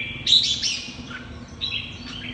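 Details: Red-whiskered bulbul, 'mơ hai mí lửa' type, giving a loud, bright burst of rich warbling notes in 'hót ché' song, then a pause and a softer second phrase with a brief whistled slur.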